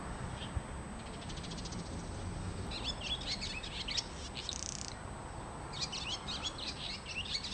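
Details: In a home garden, a visiting swallow utters bursts of quick, high twittering, with quiet gaps between runs, against broadband noise and a faint steady whine.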